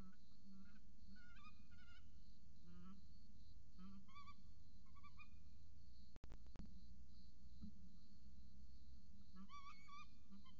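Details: Peregrine falcon chick and mother on a nest in Orange, Australia, recorded by a falcon camera: frequent short harmonic calls, some quavering, break off around the middle after loud clicks, then resume. A low hum runs throughout.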